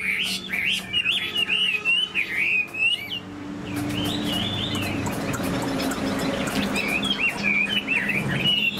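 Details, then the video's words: Caged Chinese hwamei, tail spread, flicking wings and tail, gives fast warbled whistling phrases, breaks off into a noisy gap with a few distant notes, then resumes the whistled run near the end. "Họa mi đuôi xòe chơi cánh, bóng bộ cực đẹp, hót vẩy đuôi khướu"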